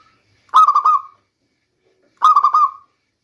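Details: Lure song of a local zebra dove for the rainy season: two short stuttering trilled coos, each a quick series of soft notes, separated by a pause of over a second.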